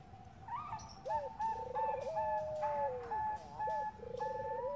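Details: Bangkok-type zebra dove, a lure recording of a female calling a male, giving rolling, trilled coos that dip low and then level off. A steady higher whistled tone continues behind them over faint background noise.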